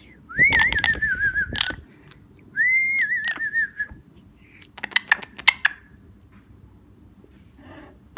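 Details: A pet parrot living at home with a family, appearing to blow kisses to the camera, gives two clear, warbling whistles that rise and wobble downward, then a run of sharp smacking kiss-like clicks.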